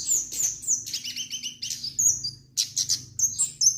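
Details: Kemade, or orange-headed thrush, in energetic song: rapid high trills and twittering bursts, then sharp separate whistled notes after a short pause, quite loud and clear.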